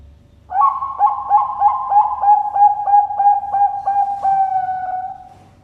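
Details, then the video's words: Bangkok-line zebra dove kept at a bird farm in Sidoarjo, East Java, Indonesia. After half a second of quiet, a rapid run of about fifteen hooting coos, roughly three per second, ends in a drawn-out fading note. "PERKUTUT BANGKOK SUARA LENGKAP"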